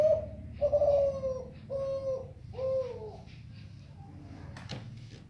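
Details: Zebra dove singing melodiously: four drawn-out, low coos in a row, each holding steady then dipping slightly, about one per second, before fading into quieter indoor background with a brief sharp noise.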